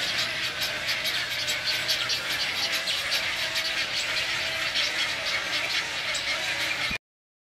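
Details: A pair of wood stork nestlings at a rookery on Spring Island, South Carolina, keep up a constant harsh, hissing clamor of overlapping raspy squeals and chatter with no break.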